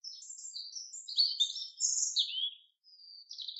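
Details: A common chaffinch sings in a forest, giving a rapid, jumbled series of high, sweet notes that swell louder in the middle, then a brief gap and a few thin closing chirps.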